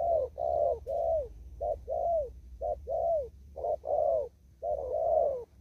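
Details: Close, clear cooing of a wild spotted dove in a Vietnamese upland field, Kon Tum: short urgent notes alternating with longer falling coos in a fairly even đồng thúc gù rhythm.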